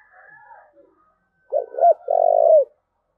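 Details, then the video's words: Spotted dove in thúc gù cooing, preceded by a faint thin higher whistling sound, then a clear low phrase of two brief hooted notes and a drawn-out, throbbing coo that dips at the end. "cu gáy thúc gù"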